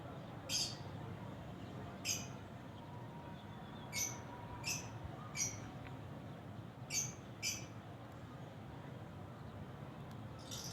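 A lovebird gives seven sharp, shrill squeaks, singly or in quick pairs, every second or two, over a steady low background hum.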